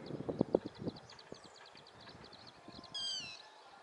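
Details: Yellow-wattled lapwing calling while running: faint rapid high ticking through the first three seconds, then one sharp, harsh, slightly descending note near the end. Low knocking thumps, like footsteps, sound in the first second.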